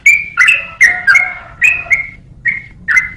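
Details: Short burst of yellow-vented bulbul song meant for tutoring other songbirds: six or seven bright, bubbly whistled phrases, each with a quick upward flick, spaced about half a second apart over quiet low hum.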